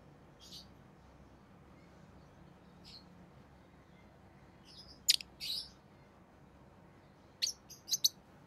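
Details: A pet rosy-faced lovebird, orange-faced green or red-headed green form, utters sparse shrill chirps, mostly quiet at first, then sharp doubled notes and a closing burst of three to four quick squeaks.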